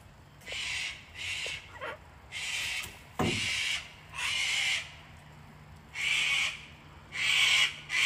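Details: Hand-fed wild cockatoos, a whole flock on a home deck in Australia on a cold, wet winter day; loud grating screeches repeated roughly every second, each harsh and broad, nearly continuous, with a faint steady hum beneath.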